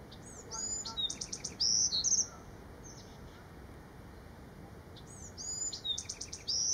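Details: Bewick's wren singing at Manresa State Beach, Santa Cruz County, California, on September 5, 2017: two high, complex song phrases about four seconds apart, each with sweeping whistles and a fast buzzy trill, over a faint steady hum.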